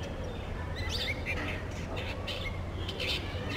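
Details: Morning song of a brown shrike, a run of harsh, buzzy chattering bursts with a few thin squeaky notes, heard against constant low-pitched background hum.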